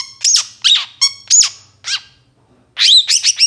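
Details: Moulting long-tailed shrike singing hard, a lure recording for captive shrikes: harsh, rasping squawks with strong layered overtones, delivered in separate bursts with a short pause before a final quick cluster.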